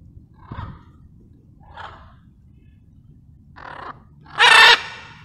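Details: Wild blue-and-yellow macaws relaxing at sunset on a dark cloudy evening; harsh, raspy squawks, four broad calls over five seconds, the last loudest and most grating, with faint background hiss.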